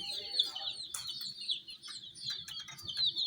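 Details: Domestic hen chicks gathered around miniature toy jeeps, a dense overlapping chorus of high, rapid peeps running continuously, with scattered faint clicks and taps.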